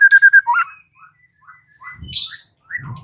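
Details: Lure song of a white-rumped shama, meant to provoke a reply: four quick repeated whistled notes, then a slurred rising note, soft scattered whistles and a louder high buzzy phrase, with some low thumping noise.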